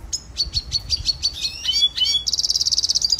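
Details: Endangered red siskin finch singing a training song: a series of spaced high chirps, a few descending slurred whistles, then a fast, buzzy, rattling trill.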